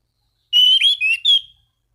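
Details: Orange-banded thrush calling rivals, used as a lure to make other thrushes sing: a single rapid phrase of four loud, clear whistled notes, some slurring downward, ending on a level whistle.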